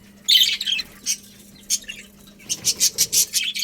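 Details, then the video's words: Budgies in a colony chirp: a scratchy chatter at the start, scattered single chirps, then a rapid evenly spaced series of sharp high notes; steady low background hum. "Cute Budgies Chirping Sounds"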